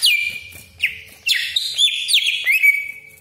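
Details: Greater green leafbird song used as a lure for other leafbirds: a sustained high whistle, a quick upslurred note, then forceful rich phrases and a final long thin whistle.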